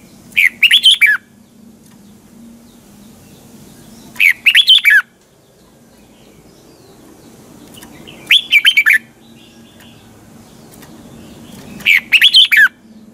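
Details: Red-whiskered bulbul singing its morning song in the double, tightly twisting voice used to train birds as a lure. Four short, bright warbled phrases recur roughly every four seconds, with quiet gaps and a faint low hum between.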